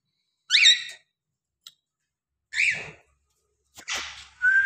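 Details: Caged cockatiel giving two loud, harsh, rising-then-falling calls about two seconds apart, followed by a short noisy burst and a clear rising whistle at the end; quiet room otherwise.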